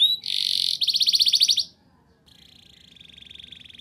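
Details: Canary singing in rolling style, used to coax young canaries to sing: a short whistle, then dense buzzy and pulsing trills, a brief silence, and a fainter steady rattling trill to the end.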